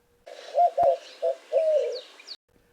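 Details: A White-winged Dove in a spring Arizona desert backyard gives a deep, hooting rhythmic coo in four or five notes, the last one drawn out, with a faint high chirp behind.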